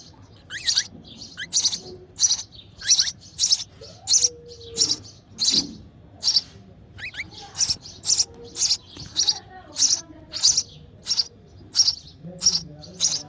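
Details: Sparrow chick begging as its mother feeds it in the nest; rapid, insistent series of high raspy chirps, nearly two per second, mixed with a few thinner squeaky notes and low background hum.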